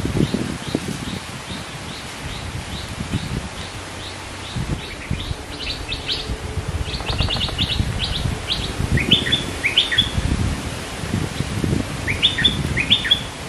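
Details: Scarlet-backed flowerpecker (Dicaeum cruentatum) song, thin sharp high ticks in quick runs then a few bright flicked notes over low rustling, from birds said to be pairing and building a nest.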